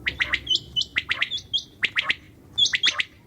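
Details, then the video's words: Common quail at night: quick three-note bursts of sharp, dry clicks repeated about every second, overlapping higher squeaky whistled notes; several birds seem to call at once over a low background hum. "QUAIL SOUND||بٹیر کی اواز||NIGHT SOUND||RAAT KI AWAZ"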